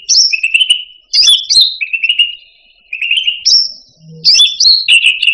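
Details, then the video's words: Indonesian grassbird (cucak rante) song, used as a master recording for tutoring pet songbirds: loud high whistled notes dropping into long buzzy trilled phrases, three bursts separated by short pauses. "Suara Burung Cucak Rante"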